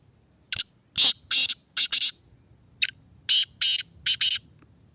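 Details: Caged Black francolin (Kala Teetar) in a red cage, being tested: two loud harsh grating phrases, each a sharp opening click followed by four rasping notes in quick succession, with a quiet pause between them.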